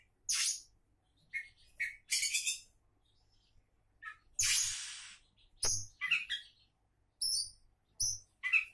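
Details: Song of an Oriental magpie-robin described as a future champion: high scratchy rasping bursts alternating with clear whistled notes, some phrases long and noisy, broken by brief pauses.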